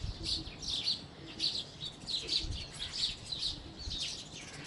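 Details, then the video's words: House sparrows give clustered bright chirps in bursts roughly every half second, overlapping into a lively chatter, with occasional low knocks beneath. "House Sparrow Chirping | Sparrow Chirping Sounds"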